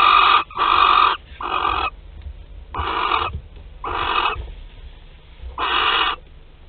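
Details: Barn owls at a nest in Théding, France, filmed 25 April 2021, male present: harsh, broadband rasping screeches about half a second to a second long, repeated at irregular intervals, over a low rumbling hum.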